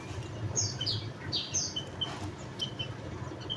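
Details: Javan munia calling: a series of thin, high downslurred chirps, some with a brief harmonic sweep, then shorter clipped notes toward the end, over a low steady rumble.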